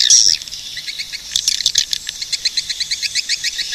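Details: Swiftlet: a thin whistled note opens, then a burst of twittering, then a neat run of short, clicky high chirps spaced evenly.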